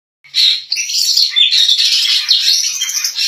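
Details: Female white-rumped shama, a caged songbird kept by hobbyists, singing persistently like a male: a dense, continuous stream of rapid chirps, trills and whistled notes, loud and unbroken after a brief silent start.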